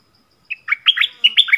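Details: Decoy song of a yellow-vented bulbul for calling in wild birds: a brisk, gurgling run of seven or eight mellow notes, rising and falling, delivered in under a second on a quiet background.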